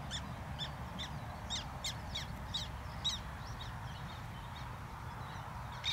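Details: Black tern (Chlidonias niger) in the Netherlands gives about nine short, harsh, slightly nasal calls in quick irregular succession over steady low rumbling wind or water noise.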